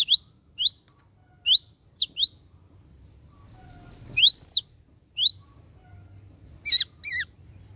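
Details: Greater racket-tailed drongo, locally chàng tên or chèo bẻo đuôi cờ, calling the flock with loud, ringing, metallic notes, given singly and in pairs, some with a twanging wavering quality, scattered irregularly against a quiet background.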